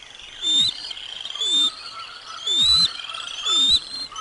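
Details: Lunch arriving for eaglets at the Decorah North bald eagle nest on 05 06 2022: high thin chirps repeated roughly once a second in four louder pulses, each with a low swooping rumble.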